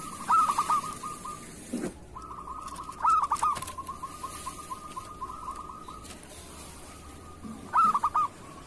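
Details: Kerot-style song of a local zebra dove, kept to teach other doves to sing: brief clusters of quick throaty coos, three phrases over a faint continuous tone, with a soft thump between them.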